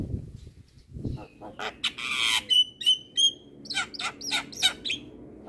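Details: Javan myna in 'gacor' song for training captive birds: after a soft low start, a long raspy burst, then clear level whistles and evenly spaced harsh notes about three per second.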